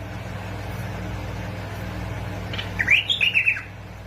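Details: Bulbul from Basra and Fao, Iraq, in a recording used to stimulate other bulbuls to sing. After a steady low hum, a brief burst of bright, liquid warbled notes rises and falls near the end.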